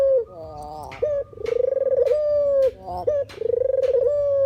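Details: Calling spotted dove, puter or deruk, recorded to lure birds for trapping: sustained level coos, some with a pulsing, rattled texture, broken by short buzzy stutters.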